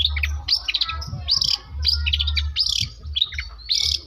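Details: Trained long-tailed shrike from South Malang mixing lovebird and canary imitations: dense shrill chirps and squeaky slurred notes in quick clusters, over a persistent low mechanical hum.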